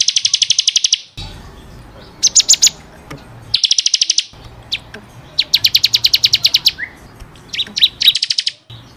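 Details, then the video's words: Bar-winged prinia singing vigorously, a training recording for caged birds: bursts of rapid, even trilled notes alternate with short sharp chips. The bursts are separated by abrupt edited silences. "SUARA BURUNG CIKRIS | CIBLEK KRISTAL GACOR BUAT MASTERAN"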